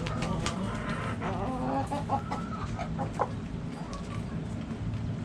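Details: Backyard hens clucking: a run of short, throaty, harmonic clucks of varying pitch over about two seconds, then a few sharper single notes against low background hum.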